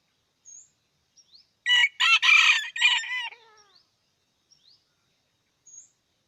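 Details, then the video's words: Red junglefowl from Aceh giving a short crowing burst of harsh, ringing syllables in about one and a half seconds, ending in a falling tail. Faint, thin chirps from small birds come before and after it in otherwise quiet surroundings. "Ayam Hutan Aceh"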